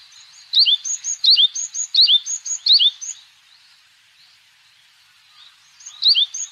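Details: Yellow-bellied tit (Pardaliparus venustulus), call.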